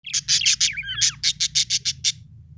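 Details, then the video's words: Budgerigar, described as happy, chirping: a rapid run of short bright high chirps in two bursts, with brief warbling between, over a faint low hum. "Happy budgie chirping sound"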